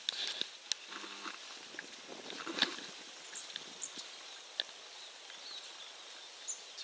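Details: Long-tailed tit recorded at 51.911213, 20.181397, giving scattered, very high, brief ticking and thin calls at irregular intervals over a soft background hiss.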